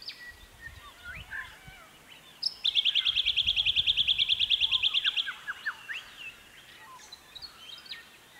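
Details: Jacky winter (Microeca fascinans) singing on a chilly early spring morning around 9am, early September 2018, in restored habitat on a private property in the Capertee Valley, NSW. It gives a fast, even, high trill of about thirty notes lasting under three seconds, amid soft scattered chirps.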